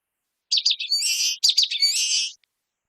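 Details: Short common waxbill song of two phrases back to back. Each phrase has staccato high chips followed by a nasal, buzzing trill held for about half a second.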